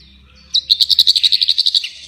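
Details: Bird released and singing actively: a rapid, evenly spaced run of about fourteen high, bright notes lasting just over a second, with a faint low hum behind it.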